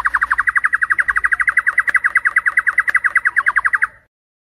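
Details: Night lure song of a white-rumped shama, meant to train competition birds in Indonesia: a rapid, steady stream of identical clipped notes, about ten a second, held for nearly four seconds before stopping.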